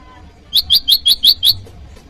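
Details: Bar-winged prinia rival call used for luring wild birds and tutoring caged ones: a single short burst of six sharp, high, evenly spaced chips with a quiet low rumble underneath.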